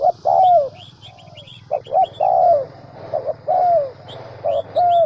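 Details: Spotted dove kept as a trapping decoy in the Central Highlands of Vietnam gives mellow coos, a short note then a drawn-out sliding one, repeated, over steady low droning and thin twittering from other birds.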